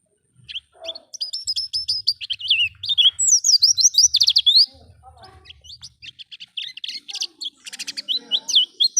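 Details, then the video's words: Oriental white-eye in wild-style ngalas song, used as a lure to get kept birds singing quickly: rapid high twittering and chirping, bursts of thin whistled notes sliding up and down, with a faint low rumble beneath. "Pancingan pleci bahan agar cepat bunyi ngalas"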